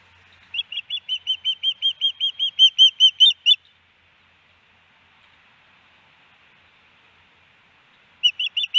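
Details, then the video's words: At a nest in Hellgate Canyon, Missoula, Montana, a female osprey calls for her mate on May 18, 2019, captured by a nest camera. About sixteen sharp, piercing whistled chirps come in a fast run, then a silent gap, then a few more. "Hellgate Canyon Ospreys ~ Iris Calls For Louis"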